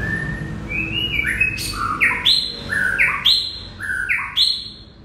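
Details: White-rumped shama singing a loud, rich song of repeated phrases. Each phrase steps upward through clear whistles into a sharp, bright burst. The phrases come about once a second over a faint low hum.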